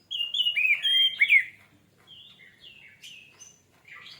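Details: Orange-headed thrush song used to encourage singing: a loud, tumbling phrase of mixed whistles and chattering notes lasting over a second, then scattered softer whistles and short twitters.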